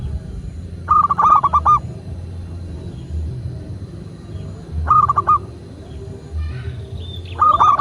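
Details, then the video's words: Local Indonesian zebra dove used as a master recording to prompt other doves to coo and respond. Three bursts of quick, rolling coo notes, each a run of four or five beats, separated by gaps of several seconds over a low rumbling background. "Perkutut lokal gacor pancingan agar burung perkutut cepat GACOR dan BUNYI"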